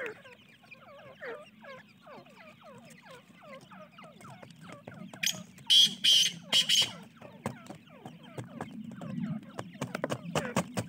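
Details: Francolin (teetar) chicks giving a long series of rapid descending peeps from several birds, interrupted midway by three loud harsh rasping bursts, with sharp clicking notes toward the end.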